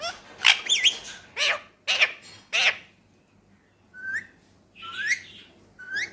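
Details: Pet male Indian ringneck parrot from Pakistan talking: a run of loud, harmonic, speech-like syllables, then rising whistled notes near the end, indoors.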